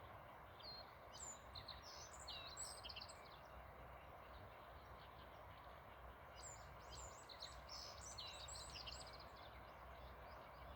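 Black-faced bunting giving thin, high chirping notes in two loose bursts, over a steady low rumble like distant traffic.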